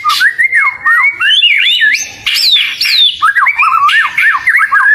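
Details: Oriental magpie-robin kept as a pet singing loud, looping slurred whistles that rise and fall, with a sudden high sweeping phrase midway and bouncy warbling notes toward the end.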